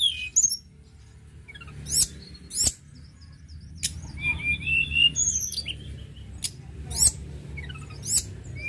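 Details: Sunda robin (tledekan gunung) in energetic song: very high chips and clicks, then a wavering whistled phrase, further sharp notes and short upslurred whistles; low steady background noise.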